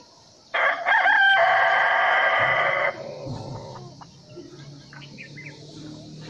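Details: Rooster giving one loud, raspy crow lasting over two seconds with a brief break early on, followed by quieter background noise and faint low sounds.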